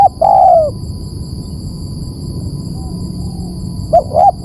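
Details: Spotted dove used as a bird lure, one long falling coo at the start, then quiet with a steady high whine, and another phrase of two short coos beginning at the end.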